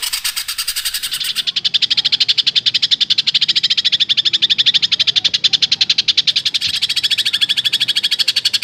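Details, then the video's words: A greater green leafbird gives a long shooting phrase within a full song of fills: a fast, very regular rattling trill of about ten notes per second, held steady and high for several seconds. "Suara Cucak Ijo Full Isian Tembakan panjang super mewah"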